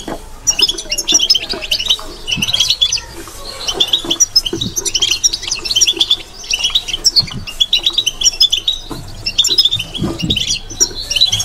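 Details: Kept European goldfinch giving a soft babbling song of the style called bitbita: continuous rapid twittering of high, liquid, chirpy notes in repeated bursts, with faint low background knocks.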